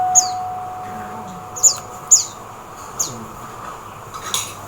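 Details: Oriental white-eye chirping in the Philippines. Five brief, piercing high notes slide downward, a few spaced about a second apart and two close together, over a soft background hiss with a faint steady tone.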